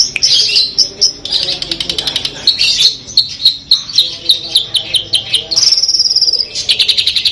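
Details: Long-tailed shrike, Madura 'Peterpan' type, singing 'full Armagedon' material: buzzy harsh bursts over a fast ticking trill, a sustained high rasping note, then renewed rapid chatter.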